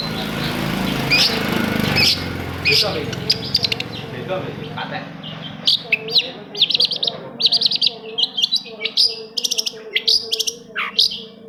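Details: Long-tailed shrike song meant to prompt non-singing shrikes into song: after a murky, noisy start, rapid high stuttered trills and chirps build into dense, repeated bursts.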